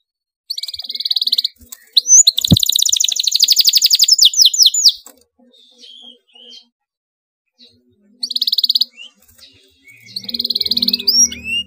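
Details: Excited canary in tight rolling song intended to get other canaries singing along: bursts of rapid high buzzy trills, one long roll near the start with a sharp click, gaps between, and a later trill over soft low sounds.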